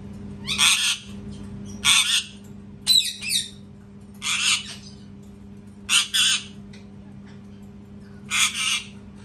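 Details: Repeated loud parrot screams, harsh and noisy, roughly every one to two seconds, mixed with a shorter squawk with wavering tones.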